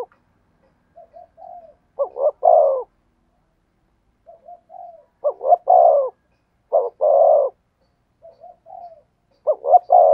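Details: Spotted dove cooing in the "thổ sấm" voice style: soft low introductory coos, then two short rising notes and a longer falling croon. The phrase repeats about every four seconds in quiet surroundings.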